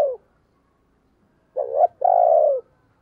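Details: Decoy spotted dove used to provoke other doves into cooing: a low note trails off at the start, then a clear two-part coo of a short wavering note and a longer, steady, falling hoot.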